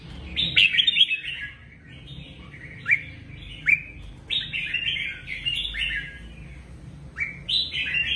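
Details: Caged red-whiskered bulbul singing, used to excite other caged birds: bright, warbling whistled phrases with quick rises and falls, about seven short phrases in eight seconds, some sharper peaks between them, faint low background hum.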